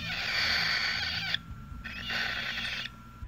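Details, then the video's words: Hungry hand-reared parrot chick in an incubator begging for food: two harsh, raspy hissing bursts of about a second each, separated by a short pause, over a low hum and a faint steady tone. "Le bruit que vous entendez, c'est le cri de l'oisillon qui a faim."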